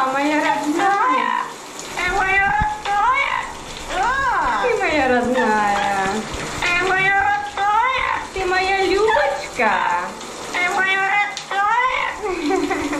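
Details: Dino, a male pet yellow-naped amazon in New Jersey, sings opera in the shower: a rising and falling run of drawn-out, voice-like notes over steady rushing shower water.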